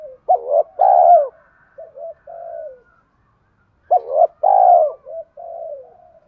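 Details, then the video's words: Urging coos of a spotted dove, meant to set a decoy bird cooing: two full phrases, each a loud throaty double coo followed by short soft hoots and a long note that slides downward. "Tiếng chim cu gáy thúc cực đỉnh dùng kích bổi mở lên là gáy 100%"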